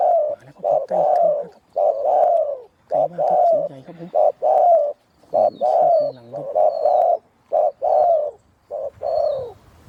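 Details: Deep-voiced wild spotted dove coming in to a decoy during a hunt, giving loud, rich, hollow coos in rapid bursts, short notes alternating with longer drawn-out ones, repeated steadily.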